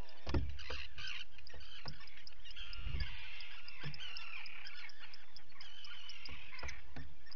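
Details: Common guillemot chicks being fed, recorded by a live camera on 28 June 2020. High thin peeps repeat above growling, raucous colony calls, with several dull low thumps.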